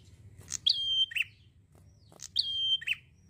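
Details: Two quick phrases from a prinia singing at ease: a tick, a long even whistle and a lower buzzy finish, repeated under two seconds apart over a faint low rumble.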